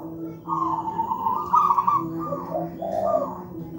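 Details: Local wild zebra dove cooing, described as a deep, thick, big voice with tightly spaced notes, used as a master recording to train young doves not yet singing; warbling trilled coos in bursts over a steady low hum.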